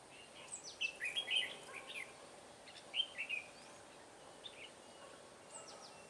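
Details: Decoy red-whiskered bulbul singing at a trapping site on 21 March 2017, giving two brief clusters of bright, chirpy warbled notes separated by a pause, set against constant faint outdoor hiss.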